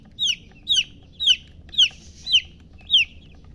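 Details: Chicks chirping: six loud, piercing, down-slurred peeps spaced about half a second apart, each sliding from high to slightly lower pitch, over a faint low hum.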